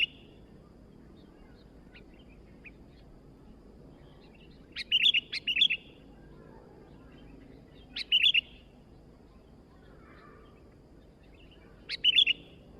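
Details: Newly acquired sooty-headed bulbul, singing actively, gives short bubbly phrases of two or three quick liquid notes, spaced a few seconds apart, with soft chirps and steady low hiss in between.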